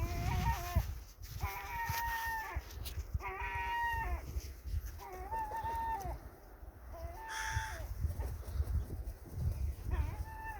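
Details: Feeding gulls giving repeated harsh, nasal yelping calls, each a short run of level, overtone-rich notes, in a series of bursts roughly every second or two, against constant low rumbling background noise.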